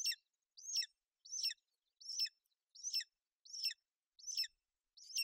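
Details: On a Bucovina nest, 28 May 2021, a golden eagle female keeps her chick warm and dry: high, shrill chirps with a quick downward sweep, repeated about every 0.7 seconds, nothing else audible.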